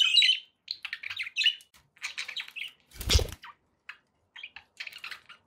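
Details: Budgerigars at home twittering in short scratchy phrases, with a single loud broadband clatter or flap in the middle and sparse chirps afterward.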